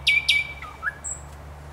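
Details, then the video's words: Thrush nightingale singing on 29 May 2021: two loud, sharp, down-sweeping notes, followed by softer lower chirps and a thin high whistle, over a faint low hum. "Śpiew słowika szarego"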